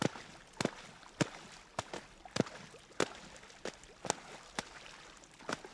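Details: Sharp knocks or paddle taps about every half second over quiet water noise, with no animal voice.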